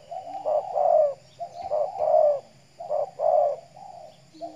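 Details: Captive decoy spotted dove from Riau Islands, Indonesia, basking in the morning sun; low husky cooing comes in paired bursts, a short note then a longer swelling coo, about once a second with brief pauses.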